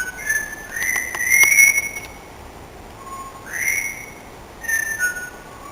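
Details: Parrot sings "Singing in the Rain" by whistling: short notes slide up into held pure whistles, then a brief low tone and another rising phrase. The notes come in bursts with quiet gaps between them.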